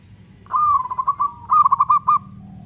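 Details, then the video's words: A single long song phrase from a local zebra dove, sung as a lure for other doves: a smooth coo breaking into a run of quick, evenly pulsed notes that fade away. Low hum behind. "Perkutut lokal gacor suara ketukan panjang, cocok untuk pancingan"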